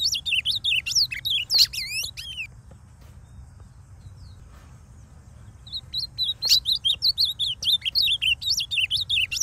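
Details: Ultramarine grosbeak (azulão), a wild masked male in late moult from brown to all-blue, singing free in the forest of the Brazilian Northeast; loud, clean song of rapid high warbled and slurred notes in two bursts separated by a quiet pause.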